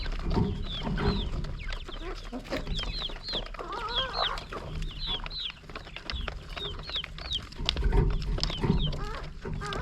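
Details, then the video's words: Hungry chickens at morning feeding in the countryside. Repeated high, downward-sliding chirps run through the clip, and a longer, wavering, harmonic squawk rises near the middle. A low rumble stays behind the birds. "Morning Feeding for Hungry Chickens"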